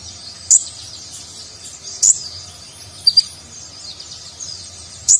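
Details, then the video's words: Sparse high chirps from a konin sunbird in nagen style, intended to train contest birds; single sharp notes or pairs spaced one to two seconds apart. "Konin Gacor Isian Mewah Gaya Nagen, Cocok Untuk Masteran Burung Lomba"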